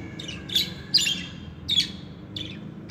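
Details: Four short, buzzy budgerigar chirps from pet birds, spaced about half a second apart, then a fainter fifth note, over a quiet low hum.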